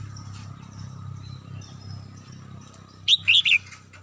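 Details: Red-whiskered bulbul kept at home, singing in the morning: a single quick phrase of three loud, warbled, slurred notes near the end, over a low steady hum and faint background chirps.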